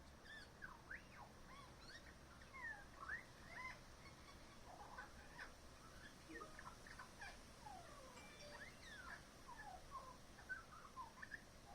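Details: Magpie in a backyard mimicking other local birds, a varied, continuous stream of whistled slides, rising and falling notes and chatter, fairly distant and faint over background hiss.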